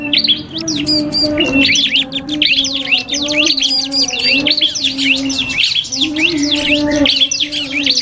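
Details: Song duel between a cipoh kristal (common iora) and a prinia, meant as cage-bird training material: nonstop high chirping and slurred whistles packed together, accompanied by a low constant hum.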